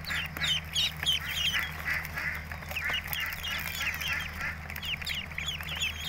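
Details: Ducklings peeping, several calling at once: a steady stream of high, short, slurred peeps, many rising then falling, overlapping without pause over a constant low hum.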